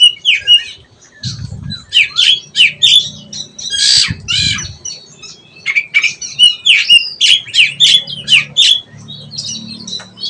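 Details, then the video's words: Young oriental magpie-robin rehearsing ngeplong song: fast series of sharp, descending chipping notes and harsh rasps mixed with short whistles, with a low rumbling thump in the background at times. "KACER BELAJAR NGEPLONG"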